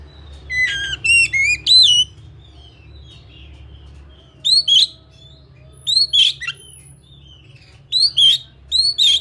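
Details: Oriental magpie-robin, known as kacer in Indonesia, opening with a rapid string of varied whistled and slurred notes, then repeating pairs of bright upswept whistles with clicks, steady faint hum underneath.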